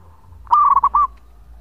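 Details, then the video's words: Long song of a local zebra dove kept as a lure: one short phrase of rapid, stuttering coos ending in a longer drawn note, over a quiet low hum. "Perkutut Lokal Gacor Suara Panjang buat Pancingan"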